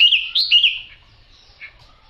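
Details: Chinese hwamei, yellow-billed and yellow-legged, giving a brief pair of clear, slurred whistled phrases, then a single soft note after a short silence.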